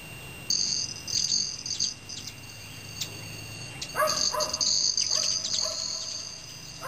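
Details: Male Broad-tailed Hummingbirds at evening feeding time in Teller County, Colorado, under a quarter Moon; a buzzy, metallic wing trill rings in bursts while a dog barks and yips repeatedly in the second half.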